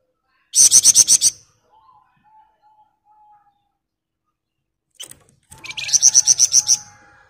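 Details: Sunda bush warbler singing in the dense 'ngebren' style: two loud rapid rattles of high buzzy pulses, each about a second long, separated by faint soft whistles and a brief click.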